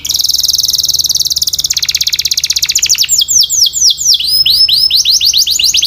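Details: Canary song for training: a long, fast, buzzy trill held steady for nearly three seconds, shifting to a slower rolling series of bright downslurred whistles.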